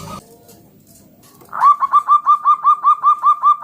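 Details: Loud local zebra dove singing to coax other doves to sing. A quick, even run of about a dozen short, bright, bouncing notes follows a near-silent start.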